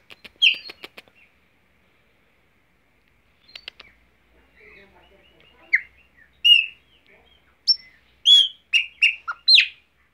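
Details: Chopi blackbird sings while perched on its owner's hand in Mogi das Cruzes, SP: loud, clear whistled notes and rich chirps in irregular bursts after a few dry clicks, with a man quietly urging it to sing.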